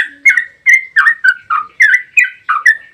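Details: Brisk 'ropel' song of a yellow-vented bulbul, played to stir other bulbuls into singing: about ten loud, sharp, slightly downslurred chirps given in quick succession.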